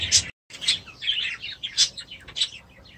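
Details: Several aviary budgerigars keep up quick, twittering chatter of short rising and falling chirps, high and thin, broken by a momentary silence near the start, then resuming in irregular clustered bursts.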